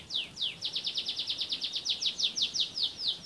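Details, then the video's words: Canary from Central Java, Indonesia, singing a rapid tour of high, sharply downslurred notes, about eight per second, evenly repeated throughout with faint background hiss. "Kenari BAGUS!"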